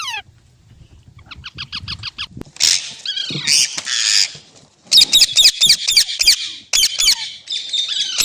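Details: Parrot, likely a pet in India, starting with rapid stuttered harmonic notes, then breaking into loud harsh grating screeches repeated in quick bursts, with a few clicks.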